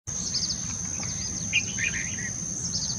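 A Red-vented bulbul gives a short burst of bubbly, mid-pitched chirps over a steady high insect-like whine, with faint higher chirps and a low rumble.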